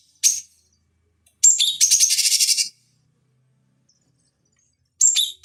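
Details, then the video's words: Cucak cungkok (bulbul) song used as a training recording for fighting birds. Short bursts of very high, scratchy, rapidly trilled chatter separated by silent gaps. "Masteran Pancingan Cucak Cungkok Ampuh Untuk Terapi Dan Masteran Burung Petarung"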